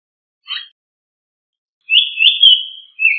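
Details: Japanese paradise flycatcher song: a short buzzy note, a pause, then a long sustained high whistled phrase with slight wavering, followed by a lower whistled note starting.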